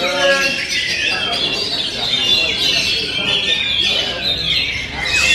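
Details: Kacer song in 'ngent' style: varied high whistled phrases and scratchy chatter, a few lower descending notes early, then an unbroken flow of busy high notes.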